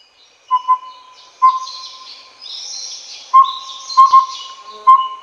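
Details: Collared owlet (Taiwan subspecies Glaucidium brodiei pardalotum) giving soft, even whistled hoots on one pitch, in pairs and singles about a second apart, over high buzzy insect or bird chatter.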